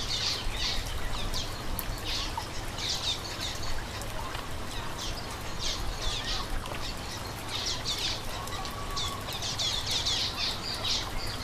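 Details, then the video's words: Common waxbill calls: repeated bursts of thin, high chirps and twitters, several overlapping, continuing throughout against a steady low hum. "Esquente seu coleira com piado do bico de lacre"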